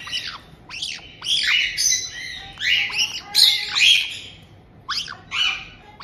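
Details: Captive white-bellied caiques in Tokachi, Hokkaido, Japan, recorded 18 June 2023: a resident adult pair greeting a newly arrived chick just over two months old. Harsh, buzzy squawks come in rapid overlapping bursts, several birds calling together.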